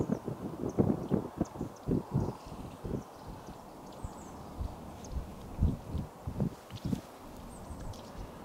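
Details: Woodpeckers drumming on trees in different parts of a Finnish forest on 27 February 2022 give irregular, dull knocks, sometimes in quick clusters and sometimes spaced a second apart, over soft forest rustle.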